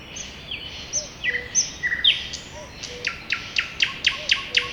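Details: Spring forest birdsong: high whistled and chirped phrases, then a rapid series of sharp notes about four per second, with soft low whistles underneath.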